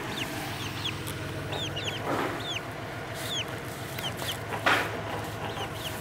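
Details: Baby chicks following a person as if she were their mother, giving many thin, high, downward-slurred peeps from several birds over a steady low hum, with a few soft rustles.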